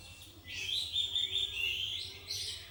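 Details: Young white-rumped shama, a kept songbird described as strictly trained and singing for exercise and stamina, gives a continuous, high, rapidly warbling chirpy phrase that runs nearly unbroken for over two seconds, with faint low hum beneath.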